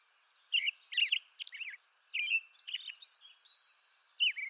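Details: Robin song recorded in eastern North America, a few bright whistled caroling phrases and broken high notes separated by short gaps, with a steady low hiss underneath.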